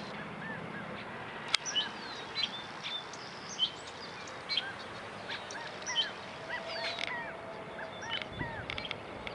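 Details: Calling California quail, many short arched notes overlapping in a busy chorus, scattered sharp chips and a sudden knock early on, all against a constant background hiss.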